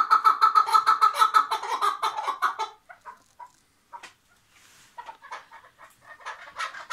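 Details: Tethered chukar partridge recorded in Şırnak, Turkey, opens with a loud, rapid run of chattering chuck notes for nearly three seconds, then breaks off into sparser, quieter notes after a short pause.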